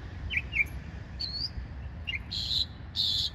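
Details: A little bird gives a couple of quick high chirps, a thin rising whistle, then two buzzy, hissing bursts, set against faint low background noise.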